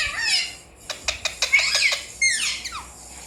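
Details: Alexandrine parakeet kept indoors and learning to talk gives harsh, rasping squawks at the start and end, separated by a quick run of sharp clicks and short rising and falling whistled notes.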